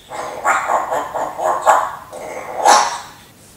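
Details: Pet talking parrot, said to think it is a dog, imitating barking: a run of short, harsh, bark-like bursts in quick succession, a brief pause, then one louder, sharper final bark.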